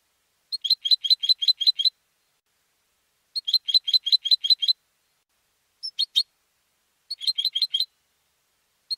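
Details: Home-raised competition European goldfinch (jilguero) singing: three bursts of rapid, evenly repeated high chirping notes, about seven per burst, separated by short pauses, with a brief sharp double note between, on a silent background.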